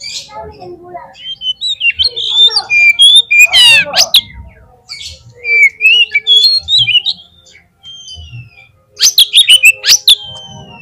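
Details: Oriental magpie-robin lure song played to make the bird sing in the field. Varied high whistled phrases slur up and down, broken by a harsh rattling burst and sharp chips, with brief pauses between runs.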